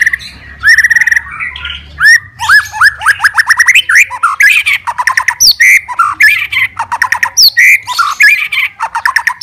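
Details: Fighter white-rumped shama singing to provoke other shamas: a long rich stream of slurred whistles, rapid chattering notes and rising sweeps, delivered almost without pause.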